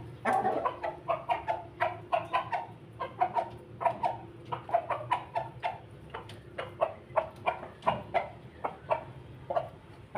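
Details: Pelung rooster feeding and calling in a laughing manner: a continuous series of sharp, short, chuckling pulses, roughly three to four per second, running for ten seconds over a low hum.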